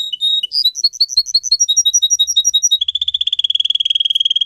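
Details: Singer canary training song. A short whistle opens a run of evenly pulsed bell-like notes, about five per second, which switches to a very rapid, slightly falling rolling trill that carries on steadily.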